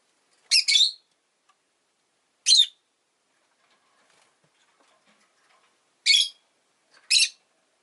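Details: Rosy-faced lovebird producing four loud, grating chirps, a double note first, then singles spaced one to three and a half seconds apart, nothing else audible.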